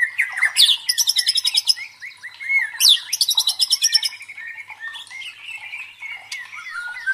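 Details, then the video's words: Murai batu, white-rumped shama, whose teaser song is used to train competition fighter birds and raise their fighting spirit: rich varied song with rapid, rattling high trills, sweeping whistled notes and quick chattering phrases in loud bursts. "MELATIH MENTAL FIGHTER MURAI BATU DENGAN SUARA PANCINGAN"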